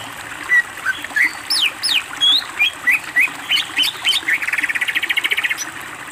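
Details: Greater green leafbird singing gacor with varied fill phrases for bird training: loud, rapid whistled notes sweeping up and down in quick succession, ending in a fast buzzy trill of about twenty pulses.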